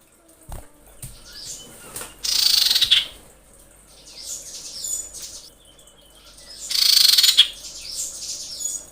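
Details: Lure recording of a breeding female common iora calling to males: several scratchy, rapidly pulsed chattering bursts spaced a few seconds apart, the loudest two around the third and seventh seconds.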